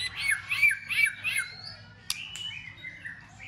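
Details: White-rumped shama giving an intense fighting song with tail-flicking, meant to stir other shamas to sing. Rich whistled phrases rise and fall through the first second and a half, followed by two sharp clicks and a sustained thin whistle over a faint low hum.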